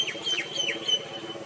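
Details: Male Crimson sunbird calling in three quick, high, down-slurred chips in the first second, with a thin steady whistle-like tone alongside and a low rumbling hum beneath.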